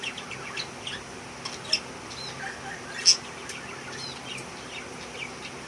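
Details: Budgerigar (Melopsittacus undulatus), chatter.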